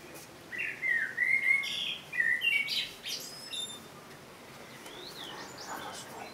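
A Common blackbird sings a mellow, fluting warble of low whistled notes, ending in a squeaky high twitter; fainter distant bird notes follow.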